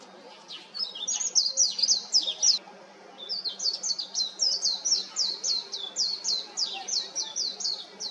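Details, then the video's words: White-eye singing from an electric wire delivers a long, rapid warble of high thin twittering notes in two fast runs with a short break between, over steady low background hum. "メジロの美声 (4K) / White-eye's beautiful voice (4K)"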